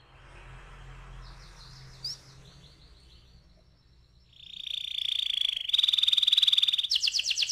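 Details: Canary in ngeroll rolling song: a quiet stretch with soft notes and one sharp chirp, then a loud rapid pulsed trill building strongly, breaking into a few quicker sweeping notes at the end.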